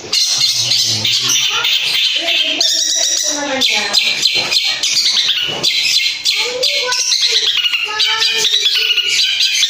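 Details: Long-tailed shrike lure song packed with rich mimicked fill material, used to provoke other shrikes to answer: loud, dense, harsh chatter and squawks mixed with varied whistled and warbled phrases, nearly continuous.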